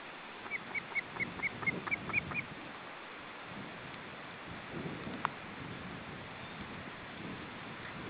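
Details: Osprey at the nest with three chicks on a windy day as the parents bring in fish: about nine short, evenly spaced whistled chirps in quick succession, then wind noise and a single click.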